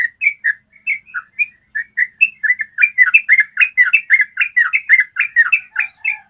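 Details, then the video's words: Yellow-vented bulbul song meant to train captive birds to trill at length. Separate whistled notes grow into a fast, continuous stream of bubbly, rising-and-falling phrases. "Masteran ropel panjang suara jernih bikin trucukanmu jadi rajin ropel"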